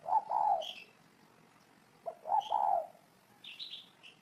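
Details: Two low cooing phrases from a spotted dove about two seconds apart, each a short note then a drawn-out throaty coo. Higher chirps from other birds sound between them.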